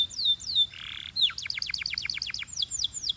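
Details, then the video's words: Short passage of Belgian canary song: falling whistles, a brief buzzy note, then a rapid run of clipped high notes and more downslurred whistles. "This BELGIAN CANARY SINGS BEAUTIFULLY - Warms up quickly!"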